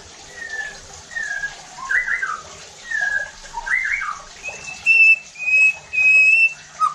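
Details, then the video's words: White-rumped shama song used as a lure to provoke other shamas into loud, aggressive singing: slurred whistles near the middle range, then loud pure high whistled notes repeated in bursts, with faint background hiss. "PANCINGAN EFEKTIF JADIKAN MURAI BATU NEMBAK KASARR UNTUK MENINGKATKAN EMOSI DAN BONGKAR ISIAN"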